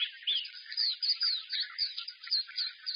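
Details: Caged white-eye's loud, bright song: quick chattering warbles with clear slurred whistles, about two notes a second standing out over a dense twitter.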